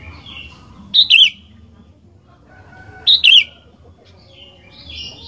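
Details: Sooty-headed bulbul singing to prompt other bulbuls: two loud bubbling double-note phrases about two seconds apart, with quieter twitters from other birds between them.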